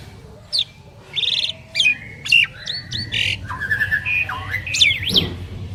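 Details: Asian pied starling duet of two prized birds: mixed whistled slurs, buzzy squawks and long flat tones, varied and irregular, with a steady low hum behind.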